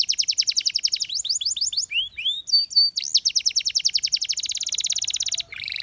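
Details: A canary pours out rapid high trills: an even run of sharp notes, rising whistled slurs, a brief pause, then a long fast steady trill ending in a buzzy lower roll.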